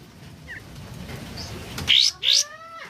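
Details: Sooty-headed bulbul, known locally as kapas tembak, singing during morning rain. After steady rain hiss, two bright, sharp, high notes ring out in quick succession, followed by a fainter, rising whistle.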